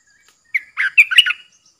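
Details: Caged decoy bulbul, 13 April 2021, with wild birds drawn in over three rounds. A clipped note leads into a warm, bubbling string of whistled syllables lasting under a second.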